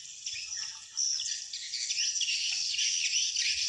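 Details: Swiftlet calls played back to attract wild swiftlets to a swiftlet house: dense, high, chattering twitters in a continuous stream, rising in loudness after the first second.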